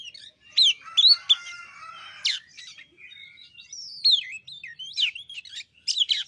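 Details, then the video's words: White-rumped shama song used as a lure recording to make a reluctant bird sing: varied whistled and sweeping notes, quick upward and downward slurs with sharp chips, in bursts separated by short pauses. "Pancingan kacer males bunyi"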